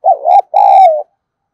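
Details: Lure spotted dove whose voice is meant to make wild doves respond quickly: one loud, close two-part coo, a wavering first note and then a longer, smoothly falling second note.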